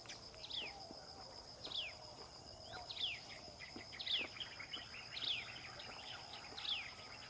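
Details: Common tailorbird at the nest feeding its baby birds; sharp descending chirps recur roughly every second, six in all, with softer faint chirps between them and a constant shrill insect drone behind.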